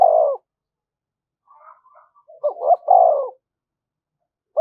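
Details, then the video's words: Spotted dove calling thúc gù to attract wild birds: a coo tail, soft distant cooing, then two short notes and a strong falling coo. "tiếng cu gáy/ cu gáy thúc gù bài bản dùng kích bổi"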